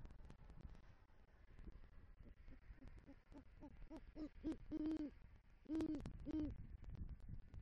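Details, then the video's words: Great horned owl male at a Southwest Florida nest with rodent prey, calling to his mate in November 2023: soft short hoots speeding up, followed by three louder drawn-out low hoots amid steady night noise. "Male GHO Brings Rodent Prey To Nest & Calls For Female"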